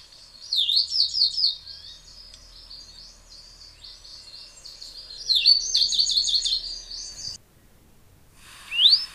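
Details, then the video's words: Tricolored brushfinch (Atlapetes tricolor) of Ecuador and Peru giving high, jumbled whistled phrases with rapid wavering notes, two bursts separated by softer twittering, ending with a single rising whistle after a brief pause. "O canto do Tico Tico tricolor ( Atlapetes tricolor )"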